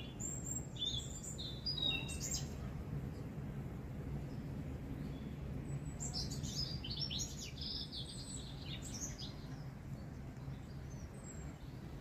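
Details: Spring song of a robin in a garden at Hidcote with anemone flowers: a thin, high trill-like phrase early on, then a clustered run of bright, tinkling notes, over a continuous low hum.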